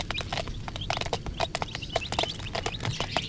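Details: Coloured chicks keep up a lively chorus of thin, high cheeps, each quick and slurred downward, several callers at once, amid frequent hard taps and a low droning background.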